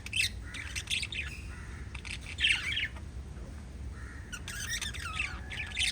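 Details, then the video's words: Pet lovebirds in short clusters of squeaky, buzzy chirps with a few thin whistled notes between them. A loud shrill burst comes near two and a half seconds and a rapid chattering run comes near the end. "LOVE BIRDS CHIRPING sounds"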